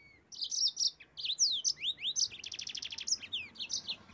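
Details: Yellow-fronted canary song for provoking rival birds: a continuous lively run of high slurred chirps, rising sweeps and a rapid buzzy rattle of repeated notes.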